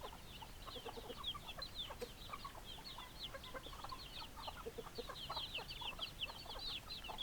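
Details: Hens clucking in a group, short knocking clucks with a constant layer of high, down-slurred peeping, many overlapping voices without break.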